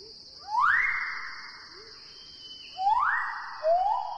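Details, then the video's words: A male Magnificent Riflebird near his display perch in dense lowland forest gives loud, pure, far-carrying whistles that sweep sharply upward and then hold steady, followed by a shorter rising note, over a constant high insect drone. "This is a male magnificent Riflebird. He's got this incredibly clear, powerful whistle that just carries great distances through the dense lowland forest where he lives."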